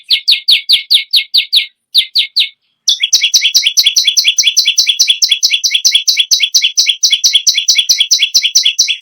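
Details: Bar-winged prinia, a kept songbird singing incessantly, used as a tutor for other birds: bursts of loud, sharp two-tone chips repeated rapidly, then a long unbroken run of quick doubled high notes, with no other sounds.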